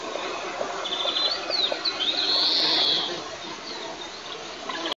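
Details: White-tailed eagle at a nest in a roughly 20 m pine in southeast Tatarstan, 9 July 2024, while a piece of ground squirrel is offered to a young bird, gives thin, high yelping notes in a quick series over steady hiss.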